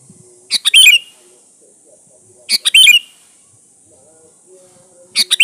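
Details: Sooty-headed bulbul singing energetically as a lure to call rivals: bright, bubbly chattering phrases repeated roughly every two seconds, three in all, over soft low background sounds.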